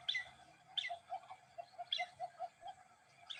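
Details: Black-bellied Whistling-Duck calling as it passes overhead at night, Las Colonias department, Santa Fe; bright, high whistled notes open each phrase, followed by a string of softer, evenly spaced lower whistles.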